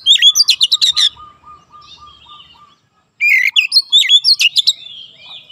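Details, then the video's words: Training song of an oriental magpie-robin for young birds: a dense volley of high chirps and slurred whistles, a soft low repeated note, brief silence, then another rapid burst of looping whistled phrases. "TERAPI KACER BAHAN CEPAT NEMBAK RAPAT"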